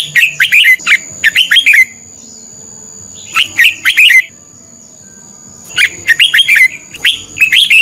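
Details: Red-whiskered bulbul decoy bird singing in competition, used to train and stir other birds to sing; three bursts of loud, rich, warbled phrases with quick rising and falling notes, separated by short pauses.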